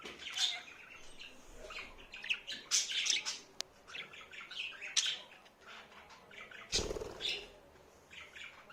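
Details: Pet budgerigar said to talk, pouring out varied raspy warbles, chirps and squeaks, with a single sharp click and a brief broad rustle or thump later on.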